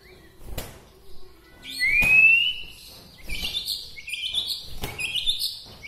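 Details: Bahorok white-rumped shama from Medan, its song said to stir other shamas: a loud upward-sliding whistle followed by rapid bright high warbles and trills, with a few clicks.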